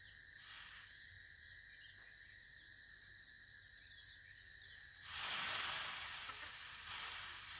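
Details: A male peacock, Mr. Peabody, makes a harsh, breathy rattling hiss (apparently with his feathers) from five seconds to the end, trying to scare roosters from food, over a steady high insect chorus; Indian peafowl.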